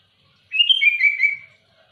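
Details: One rich, fluty phrase from a sooty-headed bulbul singing hard to dominate rivals: about a second of linked whistled notes stepping downward, clean and loud against silence.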